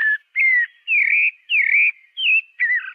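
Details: Pale-breasted thrush singing a clear, loud string of short whistled phrases, each slurred up and down, six phrases in three seconds separated by brief gaps, with no other sounds.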